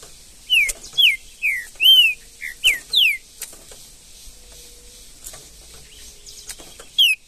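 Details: Wild trinca-ferro (green-winged saltator) in woodland pouring out a long string of about eight emphatic slurred whistles, roughly three per second, then silence and a final short whistle.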